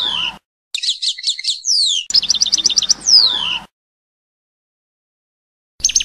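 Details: European goldfinch singing passades-style song: bright, high twittering with quick chirp runs and slurred falling whistles, in bursts broken by silent gaps, another burst starting at the end.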